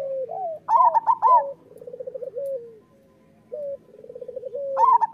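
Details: Local Indonesian zebra dove singing a master song meant to prompt lazy or moulting doves to sing: mellow rolling coos, rising and falling, with bursts of quick trilled notes and short gaps, in a quiet setting.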